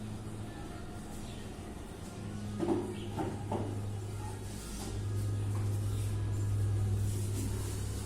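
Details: Low mechanical hum and a few soft knocks and rattles, like doors or objects moving, with no animal voice heard.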